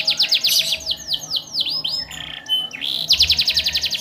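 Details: Gacor canary with an ornate 'cengkok mewah' song, played to prompt other canaries to join in: fast falling sweeps, a run of downward-curving whistles, a brief flat tone, then a rapid high trill.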